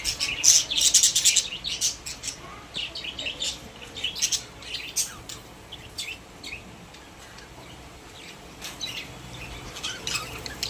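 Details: High, thin chirping from caged pet budgerigars, dense and rapid at first, then thinning into sparse squeaks and clicks with quieter stretches between.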